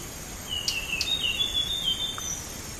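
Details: Blue whistling thrush song used as a bird-trapping lure: thin, high whistled notes that slide and waver, with a few sharp clicks, over a steady hiss of background noise.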